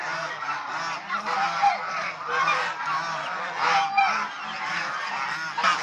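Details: Domestic swan goose, also called Chinese swan goose, kept as a domestic bird and shown playing, bathing, resting and fighting; dense overlapping nasal honks with layered harmonics from several birds, calling almost continuously for six seconds.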